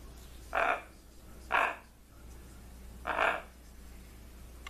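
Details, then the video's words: Trained pet blue-and-gold macaw greeting and talking, three short harsh voiced bursts spaced about one to one and a half seconds apart, rich in mid-range harmonics, over a low steady hum. "Funny macaw says "whats up" "hello" !!! and even act like crying"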